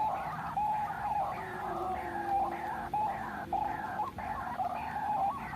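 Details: White-breasted waterhen (ruak-ruak) call used as a trapping lure: harsh, nasal croaking notes repeated rapidly, about 100 a minute, each with a bright steady tone and rising overtones, over a low background hum.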